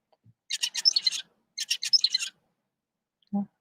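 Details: Zebra finch (Taeniopygia guttata) tutor song from a normal bird: two quick bursts of harsh, buzzy, nasal notes, the model that young finches learn to copy. It is played for comparison with song from birds with reduced FOXP2.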